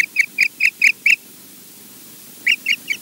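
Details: Osprey at Loch Garten in Scotland calling a rapid run of six bright, piping whistles at an even pace, then a short gap before three more similar yelping notes, with faint hiss behind.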